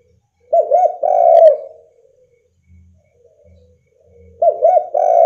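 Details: Spotted dove calling to prompt other doves into singing: a clear cooing phrase of quick wavering notes ending in a longer drawn coo, a pause, then the same phrase begins again; otherwise quiet.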